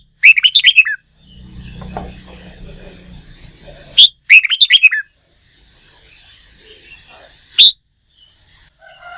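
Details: Red-whiskered bulbul, wild-caught and being trained for singing contests, delivers rapid chirpy warbled phrases, a low hum beneath, then a second similar burst about four seconds later and a single sharp note near the end.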